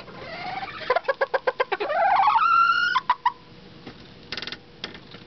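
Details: A pet bantam rooster crowing: a few sharp clucks first, then one loud, strained crow that rises and holds steady for about a second before breaking off into short notes, with faint clicks afterward.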